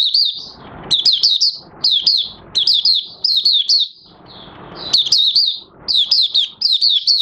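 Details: A caged Oriental white-eye, recorded 30 August 2022 with new white feathers almost fully grown, sings high, thin twittering phrases of quick slurred notes in bursts about a second long separated by brief pauses.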